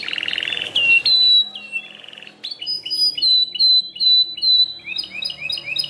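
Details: Singing Belgian canary delivering a varied song: a buzzy trill, clear high whistles, then a series of repeated short downslurred chirps and rapid rising notes toward the end.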